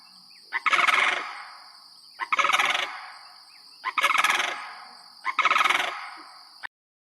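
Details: Sandhill crane (Antigone canadensis), a Vermont priority bird, giving loud, rolling, rattling trumpet calls in four bursts about a second and a half apart, over a steady high hiss.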